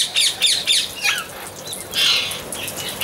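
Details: Amazon parrot with a series of about four harsh, strident squawks early, then a long rasping screech, set against steady twittering from other birds.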